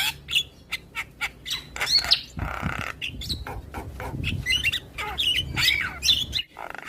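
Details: Javan myna in morning song that prompts neighbouring mynas to reply: rhythmic harsh notes roughly twice a second, a broad rasping passage, then dense chattering whistles and squawks.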